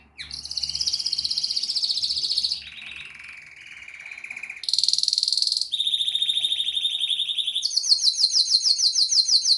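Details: Canary singing a pleasant song of high sustained trills and buzzy rolled phrases, changing tone every couple of seconds and ending in a fast rhythmic high-pitched repeated note series.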